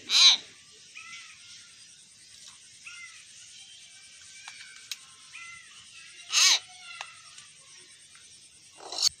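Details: Garden talking myna, a common hill myna: two loud, piercing downward-sweeping shrieks several seconds apart, with soft short chirps and faint whistles between them in a quiet setting.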